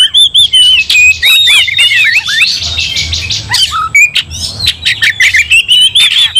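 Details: Oriental magpie-robin (kacer) in an aggressive fighting song that stirs other kacer to anger: loud, rapid whistled phrases with sliding notes and sharp clicks, bursts spaced by brief gaps, other kacer joining in.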